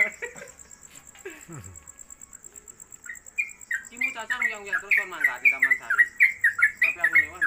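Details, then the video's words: Caged Yellow-vented Bulbul (trucuk), a newcomer bird kept at home and on a hanging pole, used as a tutor bird for other songbirds. Its song is described as long-lasting 'konslet kemedol'. After about three seconds come rapid, repeated, downslurred whistled notes, partly over a man's speech and a steady high whine. "Trucuk Konslet Kemedol Berdurasi"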